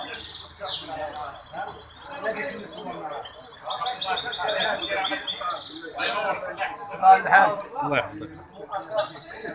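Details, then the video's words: Hybrid goldfinch singing at a song competition held by the Ain Chock association on 23 May 2021; a fast run of high whistled notes, buzzy trills and slurred rising and falling phrases, with some voices in the background. "مباراة تغريد هجين الحسون"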